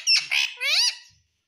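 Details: Talking parrot, known for saying "mummy papa", produces three quick, raspy, voice-like syllables, the last one rising then dropping in pitch before fading into quiet.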